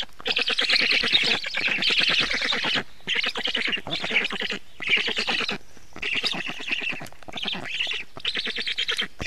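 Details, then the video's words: Black stork at the nest during feeding, 24 June 2017 at 19:52: harsh, raspy, rapidly pulsed calls in long bursts of one to three seconds, separated by short pauses, with no other clear sounds. "Must-toonekurg / fekete gólya 2017.06.24. 19:52 etetés"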